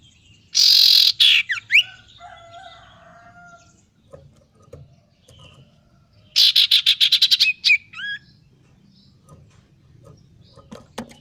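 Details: Male common iora learning to sing, practising gocor-style song: a harsh buzzy burst with quick falling whistles, then after a pause a rapid series of about ten sharp repeated notes ending in short rising whistles; faint low background hum.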